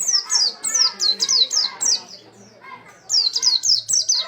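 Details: Oriental white-eye in full, vigorous song. Rapid strings of high, thin, downslurred whistles tumble out about four per second, with one short pause midway.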